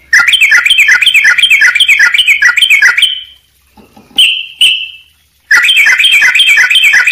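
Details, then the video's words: Sooty-headed bulbul song in a tight, fully filled 'gacor' style. Fast chirpy phrases repeat almost three times a second, then break for a few clear whistled slurs before the dense chirping resumes. "trucuk gacor buat masteran jeda rapat full isian"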